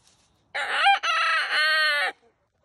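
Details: Farm rooster on a Vermont hillside homestead giving one full crow: a strong harmonic cock-a-doodle-doo of about a second and a half, broken by a brief catch then drawn out in a long steady final note.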